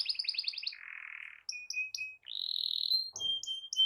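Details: Canary song used to provoke other canaries: a quick stuttering trill, a low buzzy note, separate clear whistles, a long even buzz, and paired high-and-low piping notes, with one brief low thump.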